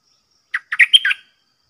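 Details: A caged Red-whiskered bulbul, long out of the forest, sings against bold wild birds: a single brisk phrase of five quick whistled notes, rising to a high clear note before dropping.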